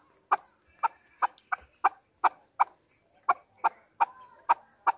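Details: Hunter chukar, the national bird of Pakistan, giving evenly spaced, clipped chuck notes roughly twice a second, each short and hoarse, against a quiet background.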